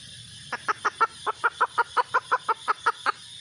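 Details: Red junglefowl hen calling with a long, fairly steady series of about fifteen clipped clucks, roughly six per second, over a constant high-pitched hiss.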